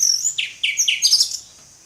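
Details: Brief burst of orange-headed thrush ngeplong song: three quick slurred whistles followed by a jumble of sharp, high chirping notes.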